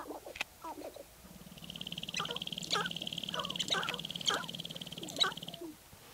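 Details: Sharp-tailed grouse from Baudette, Minnesota: sharp cackles and clucks burst out in short bouts, over a loud, even, rapid pulsing rattle with a low hum beneath.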